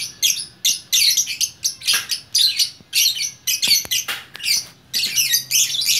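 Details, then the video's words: Lovebird in Bukittinggi, West Sumatra, a lively fighter-type single bird singing in gacor style: dense, harsh chattering bursts high in pitch, arriving in rapid clusters with brief pauses between them. "Burung Lovebird Gacor Orkestra"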